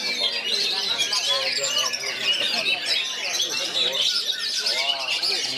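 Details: Oriental magpie-robin singing among three other magpie-robins around it, in bagong and kerayu style: dense, fast chattering and whistled phrases, high and busy, with overlapping birds throughout.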